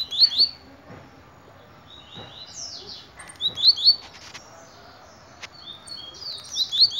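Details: Repeated short, shrill, buzzy upslurred phrases of a blue-black grassquit arrive every three seconds or so, along with a few softer chips and light background noise.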